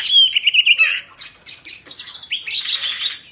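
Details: Caged Oriental magpie-robin singing with fanned tail: a bright high whistle, a rapid rhythmic series of chirps, then a sustained thin note and a dense burst of scratchy high twitters.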